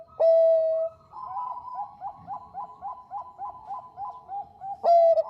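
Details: Female zebra dove of the Bangkok type calling the male: a loud long held coo, then a run of rhythmic fainter coos from other birds, and the loud coo returning at the close.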